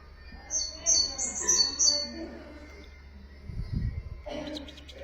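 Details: Common nightingale song played to teach goldfinches and canaries: a run of five or six high, clear whistled notes about a third of a second apart over two seconds, then a low rumble and a short buzzy burst at the end.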